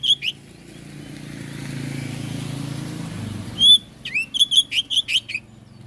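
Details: Oriental magpie-robin song used to stir other magpie-robins into answering: a brief whistle, several seconds of low rumbling noise, then a quick burst of six to seven bright, clipped whistled notes.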